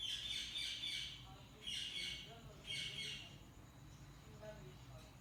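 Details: Budgies chirping in a string of short, sharp, high squawky notes in quick bursts, then fainter chatter trailing off over a low constant hum.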